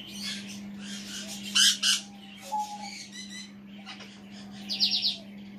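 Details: Male African grey parrot indoors, talking to himself on a chair: harsh squawks, a short whistled note and a final rapid grating burst, with quieter chatter in between and a steady low hum throughout.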